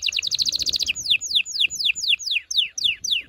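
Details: Canary singing loudly to stimulate males and prepare females for mating: a fast run of high bright notes, then a series of downward-sweeping whistled notes repeated about four times a second.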